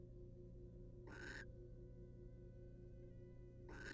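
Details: Barn owls, wild, inside a nest box, male grooming his mate's feathers; two rasping, breathy screech bursts, each about a third of a second, separated by quiet hum.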